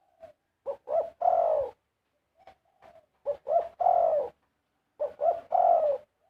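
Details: Large dove singing its prized song phrases (karam), indoors or close by: three phrases, each two or three short clipped coos leading into one long, mellow, slightly falling coo, spaced about two seconds apart, with faint low rumble beneath.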